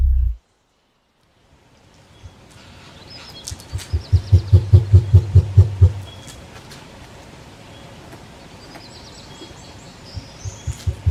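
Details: Cassowary; boom call; reaching distant solitary cassowaries so they can respond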